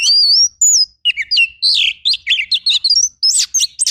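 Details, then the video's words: Oriental magpie-robin singing rough 'tembakan' fill-in song for bird training. Two wavering high whistles open a quick, rolling sequence of looping and slurred notes, delivered nearly without pause. "MASTERAN KACER FULL TEMBAKAN KASAR"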